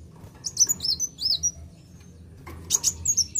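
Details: Kolibri wulung sunbird singing to provoke and excite other birds: thin, very high slurred whistles sliding up and down in quick bursts, a pause, then a second rapid run of bright notes over a low background hum.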